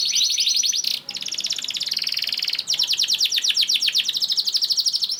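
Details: Long, continuous canary song meant to coax other canaries into singing: dense rapid trills held at high pitch, broken by two short gaps, then resuming with steady repeated rattling notes to the end.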